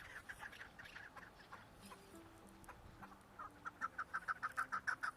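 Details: Chukar partridge calling: after a faint, muddled opening, a run of sharp, evenly spaced chuk notes builds steadily, about three per second, over faint low steady tones.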